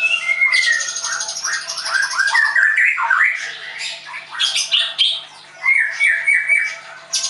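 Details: White-rumped shama at a bird training school in Tangerang; rich varied song of whistled notes, rapid buzzy trills and chattering phrases shifting quickly between low and very high pitches.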